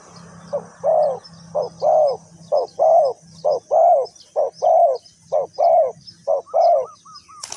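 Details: Spotted dove, decoy trapping in Ninh Thuận, Vietnam: a regular series of soft rounded coos, alternating short and long notes roughly every half second, over a low engine-like hum, ending with a brief crackle.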